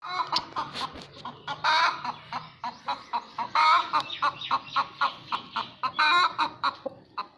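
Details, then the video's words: Hen calling noisily after laying an egg: a run of loud, harsh clucks about every second, some drawn into longer raucous squawks, irregular and insistent. "han making noise after laying egg"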